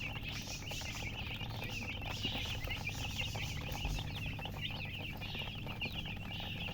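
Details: Newborn chickens, just hatched, chirping loudly: a continuous crowd of high, quick peeping notes overlapping without pause, over a low rumbling background hum.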